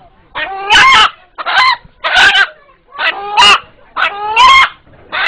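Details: An eight-month-old pet rooster in a Bangladeshi village, said to cry this way when frightened, calls about five times in five seconds, each a short hoarse note run into a louder drawn-out one, likened to "Allah Allah".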